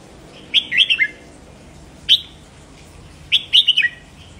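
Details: Red-whiskered bulbul singing in the 'double' style, played to stimulate caged birds; three short bright warbled phrases, the first and last of three to four quick notes, with a single clear note between them, over faint hiss.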